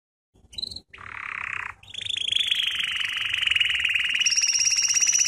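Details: Canary singing a lesson for training: a few sharp high chips, a short buzzy burst, then a long accelerating trill that slowly rises and brightens, with a thin whistled overtone near the end.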